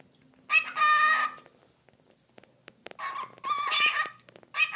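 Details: One of two male pet cockatiels gives loud, raspy calls in three bursts, the first almost a second long and the later ones shorter, with faint clicks and taps between them.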